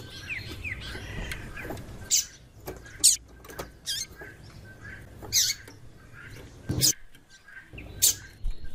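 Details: A female Double-collared Seedeater gives short, sharp high chips about every second, a call used to excite and stimulate male seedeaters into singing. Softer chirps from other birds and a low hum sit behind.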